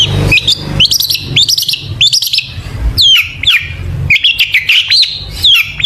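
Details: Long-tailed shrike song used as a lure to get shrikes singing: dense, fast chattering of sharp high notes, short upslurred whistles and scratchy bursts in quick phrases, with a low hum underneath.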